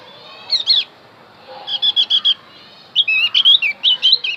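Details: Javan white-eye song used to lure wild birds into answering: bursts of high, rapid twittering notes in three phrases, the last one longer and more warbled, with short pauses between them.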